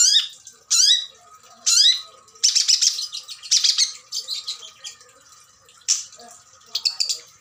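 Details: Long-tailed Shrike, a breeding-stock adult with mimicry-filled song. Two steeply falling whistled sweeps open it, then buzzy scratchy phrases and brief chattering bursts.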